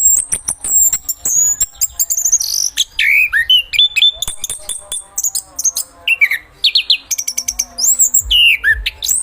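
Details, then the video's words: Chestnut-capped thrush (anis kembang), singing a rich, varied phrase of high whistles, sharp downslurred sweeps and rapid trills, with short clicky notes between bursts and brief pauses. "橙头鸟 anis kembang bang jago"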